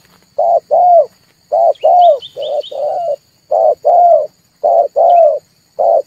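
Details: Red turtle dove call used as a trapping lure and to stir birds into calling: low hooting coos in pairs, a short note then a longer one, repeated steadily, with faint high chirps of another bird near the middle.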